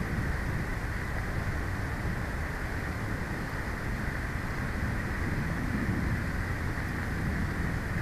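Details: Continuous low wind rumble and microphone hiss fill the air at a Big Bear bald eagle nest, with no bird call audible.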